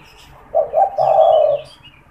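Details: Caged spotted dove cooing to stimulate and lure wild doves: one low, mellow phrase of two brief notes and a longer held coo, with soft high chirps from other birds behind.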